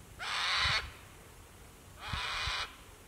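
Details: Near water at sunset at Lake Broadwater, Western Downs, Queensland, Australia, a sulphur-crested cockatoo gives two harsh, raucous screeches, each over half a second long, about a second and a half apart, with faint low thumps beneath.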